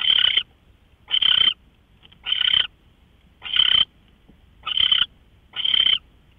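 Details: Owl at 5:27 in the morning, March 24, 2013: six harsh, raspy hiss bursts spaced about one second apart, short and noisy, with quiet pauses between.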